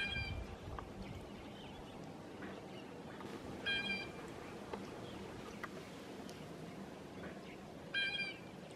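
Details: A blue jay gives three harsh, nasal calls about four seconds apart, over faint high peeping from a flock of grosbeaks eating maple seeds, with steady background noise.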